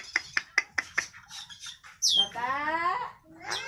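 An Eclectus parrot imitates human speech, opening with a few sharp clicking syllables, then a high voice that slides down into a drawn-out, nasal, word-like phrase.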